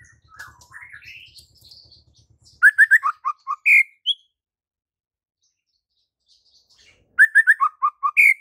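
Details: White-rumped shama (murai batu) singing energetically with a full repertoire, used as training audio for shamas reluctant to sing. Varied rising whistles and twitters, then twice a clear phrase: three quick mid notes, three lower notes, one higher ringing note.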